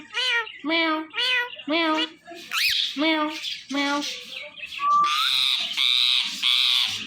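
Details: A pet talking Indian ringneck parakeet repeats a string of nasal, meow-like harmonic calls, then a short rising whistle and three louder drawn-out harsh notes.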